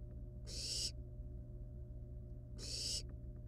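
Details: Two long, breathy screeches from wild barn owl nestlings handling a live rat at the nest, about two seconds apart, each harsh and hissing, over a droning low hum.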